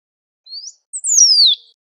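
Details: Great pampa finch singing in the wild, one phrase of a rising note, a brief chip, and an extended whistle descending smoothly; no other sounds.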